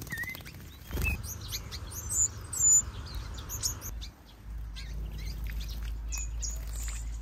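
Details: European goldfinch of the major form, kept with other birds in an aviary: scattered short bright chirps and thin whistled notes, some rising or falling, spread over several seconds, with wing flutters and a steady low background hum.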